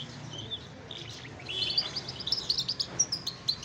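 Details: A pet lark, just brought outdoors by its owner, breaks into rapid, high, twittering chirps after a quiet start, the notes tumbling quickly over a low background hum.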